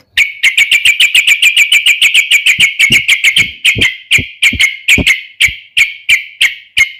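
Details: Energetic yellow-vented bulbul (trucukan) singing a combative song to lure and challenge rivals: a long, steady run of rapid, bright chip notes, about three per second, slowing slightly toward the end.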